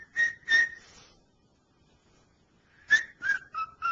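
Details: A pet cockatiel whistles his attempt at the tune "Dixie", which still needs practice: two clear, mid-pitched notes, a pause of over a second, then four quicker notes stepping slightly downward.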